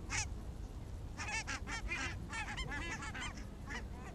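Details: Barnacle geese walking in the evening in Arabia, Helsinki, 1 October 2014; after a lone opening yelp, a burst of quick, overlapping barking honks from several birds, then scattered single calls over steady low rumble.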